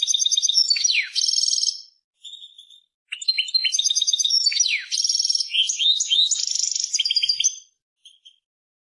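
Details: Continuous European goldfinch song with repeated bursts of tinkling twitters, several downward-sweeping slurs and buzzy trills, separated by brief pauses and short chirps.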